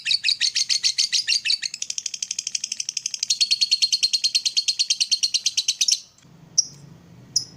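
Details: Lovebird trilling and chattering in the morning to spur other lovebirds: about six seconds of fast, shrill, pulsed notes that grow fuller midway, then stop, followed by two isolated sharp chirps.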